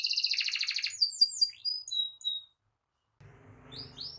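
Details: Canary song to set off other canaries: a short buzzy trill followed by scattered thin whistled notes, then a gap and faint low background noise with a few high chirps.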